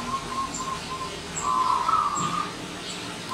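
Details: Local wild zebra dove singing in the morning: a few short soft coos, then a longer rolling, bubbling trill, with faint high chirps from other birds in the background.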